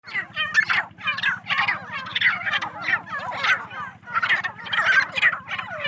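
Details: Many partridges kept on a farm call together in a dense chorus of harsh, overlapping chattering notes that rise and fall in bursts, over a steady low mechanical hum.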